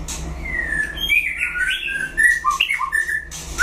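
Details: White-rumped shama in a song duel with a rival: long drawn, sliding whistles that rise and fall smoothly, then a few sharp clicks and quick broken notes near the end.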